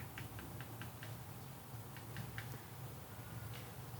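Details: A woodpecker taps behind an angler's camp at a carp fishing pond in the evening before dark, in quick dry knocks about five a second in short bursts, then a few scattered taps, over a low steady rumble.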